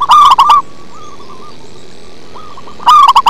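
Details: Deep-voiced local zebra dove in full song, opening and closing with dense bursts of rapid, throaty coo notes. A quieter, distant dove repeats arched notes in between.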